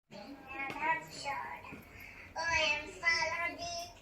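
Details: Two pet African grey parrots staying at a pet hotel in Tyresö, Sweden, talk in a childlike voice: several short mimicked phrases such as Swedish "Hej då" and "Hallå", with rising and falling tones, in a small indoor room.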